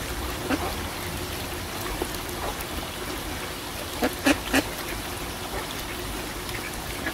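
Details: Pond ducks, mostly quiet and then a quick cluster of three or four loud, rasping quacks, with water trickling constantly behind them.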